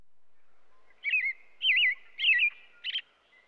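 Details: After a second of quiet, an American robin sings four wavering whistled phrases, each wobbling up and down, spaced about half a second apart.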